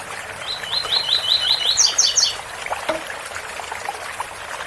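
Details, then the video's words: Double-collared seedeater with its tui-tui song: one phrase of about seven fast matching notes ending in a higher cluster, then a brief lower note. A waterfall splashes steadily behind. "Coleiro Tui tui bitola com som de cascata"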